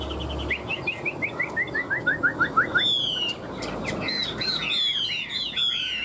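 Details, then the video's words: Chinese hwamei fighting song from one of two tame caged birds kept three years: a steady series of about ten rising whistled notes, then high clear slurred whistles and rapid varied phrases. "Họa mi hót đấu cánh đuôi đẹp - 2 em thuần 3 năm lồng"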